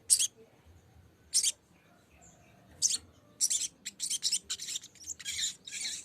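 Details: Lesser green leafbird singing to call a rival and provoke a response: isolated high raspy bursts at first, then quickening into a dense run of scratchy, chattering notes.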